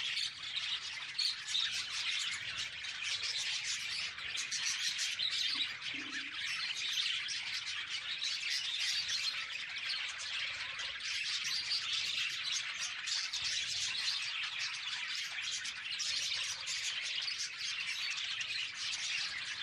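Budgerigars chatter nonstop with rapid, scratchy chirps and warbles overlapping into a busy flock chorus.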